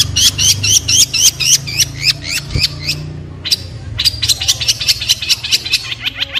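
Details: Long-tailed shrike delivering rapid chains of sharp, upslurred chirps, one short burst after another with a brief gap midway, steady low rumble beneath.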